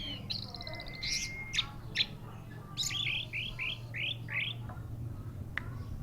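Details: Orange-headed thrush song over a low background hum: a fast high chatter, sharp notes, then a sequence of five rising whistled slurs and a final sharp click.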